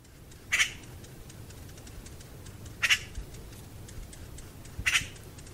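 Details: Eurasian magpie uttering three single harsh, rasping squawks roughly two seconds apart over a steady low background rumble.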